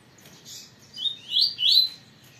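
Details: Caged double-collared seedeater, kept for breeding in captivity in Brazil, sings a short phrase of three rising, slurred whistled notes after a faint opening note, with a quiet hum beneath.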